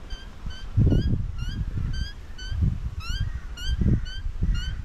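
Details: Wild crow chick in an Australian backyard being fed by a parent, giving rising, tonal begging notes about twice a second, over low thumping and rumbling noise.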